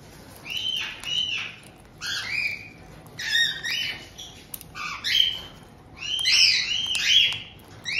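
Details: Resident pair of pet white-bellied caiques in Tokachi, Hokkaido, Japan, 18 June 2023, receiving a new young bird just over two months old; loud, harsh overlapping squawks with bent whistled notes, coming in several clustered bursts.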